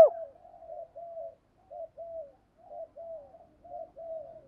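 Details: Spotted dove lure call, quieter and softer: a run of low, slurred cooing phrases in pairs, separated by short pauses, no other sounds.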